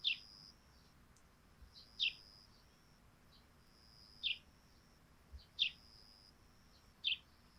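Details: Sparrows on a dewy thatched roof in the morning, five short, sharp chirps spaced about one to two seconds apart over a quiet background with a faint steady high whine.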